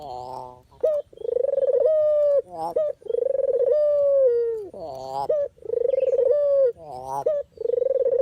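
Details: Dove call recorded for training, luring and trapping other doves. Long, low, rolling coos lasting about a second each, separated by short sharp rising notes, repeated steadily across the recording.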